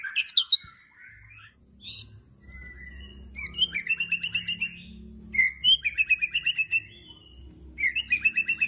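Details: White-rumped shama 'tembakan' song: sharp high notes at the start, then several runs of fast, buzzy chattering trills at mid-high pitch, each a second or so long with short gaps, over a faint hum.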